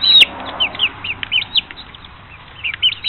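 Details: Five-week-old chicks in Pinckneyville, Illinois on April 29, 2014, peeping busily; loud, shrill arched peeps sliding down in pitch, several birds calling in quick succession, one sharp click near the start.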